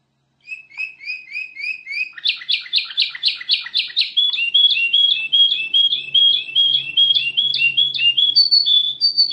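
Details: Kutilang emas (ruby-throated bulbul) in full gacor song: five paired chirps, then a fast series of sharp, evenly spaced notes about two to three per second, shifting into higher warbled phrases over a faint low hum.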